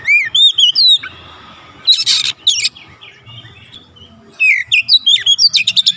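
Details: Oriental magpie-robin singing, used to coax a reluctant bird into lively song: looping whistled phrases, a harsh scratchy burst near the middle, then a fast run of clipped chirps and rising whistles.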